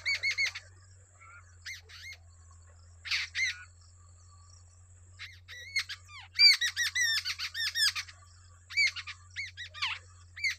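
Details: Nest scene of a wild babbler feeding two young: scattered harsh squawks and chirps at first, building to a loud flurry of rapid buzzy calls in the second half, over a steady low hum.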